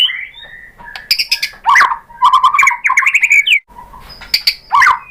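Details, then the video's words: White-rumped shama (murai batu) song used as a lure to provoke other shamas into answering and singing: loud varied phrases of rich whistles, rising sweeps and sharp chips, pausing briefly between bursts. "bikin MURAI BATU jadi NYAUT GACOR BONGKAR MATERI ¦ PANCINGAN MURAI ¦ SHAMA BIRD"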